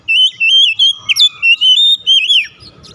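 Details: Oriental magpie-robin song meant to coax a quiet bird into full song: a continuous run of loud, clear whistled notes, wavering and sliding, with a few sharp upward flicks, ending in a falling slur.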